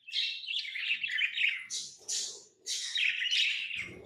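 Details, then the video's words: Tame pet lovebirds chirping: dense, harsh, scratchy chatter in rapid overlapping bursts, high-pitched and continuous with two short pauses, a faint knock at the end. "Love birds Sounds | lovebirds chirping sounds"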